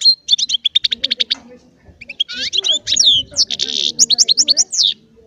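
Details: Small Baster, a goldfinch-canary hybrid, singing goldfinch-style song: rapid ticking high notes repeated in a quick series, then a short pause before buzzy, sweeping trills and bright twittering phrases.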